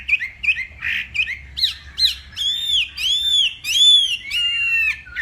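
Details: Hwamei from Northwest Vietnam in a morning fighting song. Short clipped notes give way to loud, ringing, arched whistles repeated roughly once a second.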